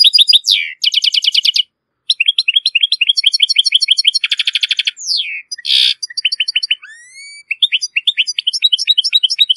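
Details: European goldfinch, Moroccan bird, delivering a strong, error-free tutoring song for goldfinch and hybrid chicks: long flowing twitters with several rasping buzzy trills, downslurred nasal notes and soft rising whistles, no background noise.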